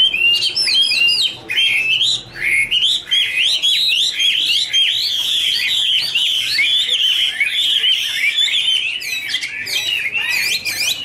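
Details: Chinese hwamei singing in duet while dancing, a loud, continuous warble of rich whistled phrases that jump and slur up and down, many notes packed closely together with barely a pause.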